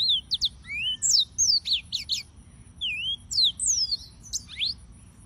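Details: Yellow-fronted canary (Serinus mozambicus), described as white-tipped green singers, singing: bright high whistled notes sliding up and down, quick chirps and trills in short bursts, several phrases over the clip.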